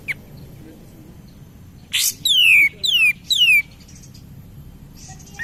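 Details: Cream-vented bulbul, or kapas tembak, singing as a lure for other birds: a harsh opening burst followed by three clear downslurred whistles in quick, even succession, with faint notes afterwards.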